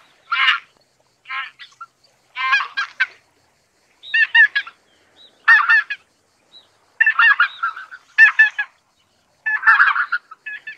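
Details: Bursts of harsh, cackling, gabbling notes come in clusters every second or two, a rough chattering from a group of greater white-fronted geese.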